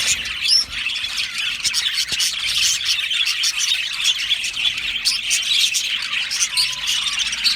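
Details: Australian budgerigars in an aviary keep up a continuous chattering chorus of high chirps, with a few clearer rising whistles standing out early on.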